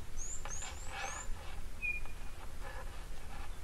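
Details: Blue Waxbills at an African waterhole with stagnant water on the afternoon of 28 March 2024 give thin, high, sliding tseee notes in a quick cluster, then a single clear whistle, over a steady low outdoor rumble.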